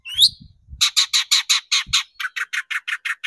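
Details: Long-tailed shrike on a lure meant to provoke singing: after a rising squeak, a rapid, steady run of rasping notes that speeds up and tightens toward the end.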